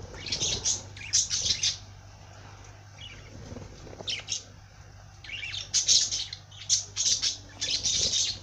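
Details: A parrot sings in loud clusters of high, buzzy chirps and rapid warbling notes, pausing for a couple of seconds mid-phrase, over a faint constant low hum.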